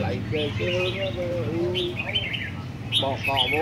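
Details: Caged red-whiskered bulbuls at a rack singing competition deliver short, sweet, rising and falling whistled phrases in separate bursts, mixed with nearby conversation.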